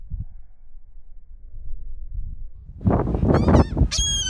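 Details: Laughing Gull on Honeymoon Island giving a burst of harsh, nasal, honking calls with squealing upslurred notes, after a few seconds of low wind rumble.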